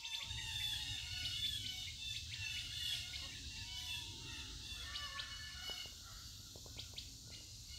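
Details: Birds recorded outdoors by a family for home-school nature learning: a busy chorus of high, thin chirps and twitters overlapping throughout, with a few lower squawking notes and sharp clicking ticks near the end over a low steady rumble.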